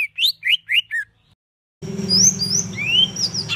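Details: Tembakan kasar song used as master recording for training competition songbirds: five quick rising chirps, a short silence, then thin slurred whistles over a steady low hum.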